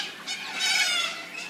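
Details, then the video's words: Little corellas, a flock of up to 100 in a suburban park in Brighton East, in the afternoon around 3 pm: harsh, rasping screeches overlap into a continuous grating din, loudest mid-burst. "Screeching corellas"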